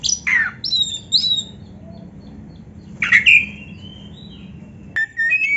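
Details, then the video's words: Oriental magpie-robin singing, a recording meant to rouse reluctant caged birds: a few scattered harsh squawks and clear whistled notes, one long sliding whistle, with pauses of a second or more between phrases. "TERAPI KACER GACOR DONGKRAK BIRAHI DAN EMOSI BUAT KACER MALAS BUNYI"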